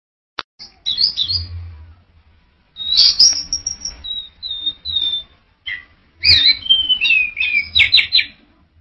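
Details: Orange-headed thrush singing: loud, varied phrases of clear high whistles and sweeping notes, broken by short pauses, with a low background hum.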